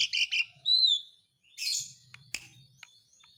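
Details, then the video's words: Asian pied starling song meant to coax a quiet bird back into full song: harsh chattering notes, then a clear slurred whistle, a pause, a scratchy burst and scattered clicks fading out. "BURUNG MALAS BUNYI JADI GACOR LAGI (JALAK SUREN)"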